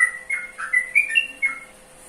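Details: Yellow-vented bulbul in a short clear burst of bright warbled whistles, about six notes in under two seconds, then quiet apart from a low hum.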